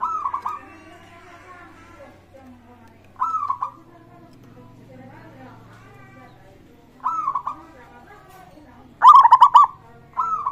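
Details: Local zebra dove song, played to spur other doves into singing. Brief rolling coo phrases repeat at irregular intervals, with one louder, rapid stuttering burst near the end, over faint background murmur.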